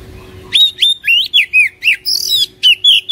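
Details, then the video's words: Oriental magpie-robin song, played to make a caged bird sing: a rapid run of loud, clear whistles, each note swooping up or down, about four per second, with a faint steady hum underneath. "PANCINGAN KACER INI | KACER MALAS BUNYI CEPAT GACOR"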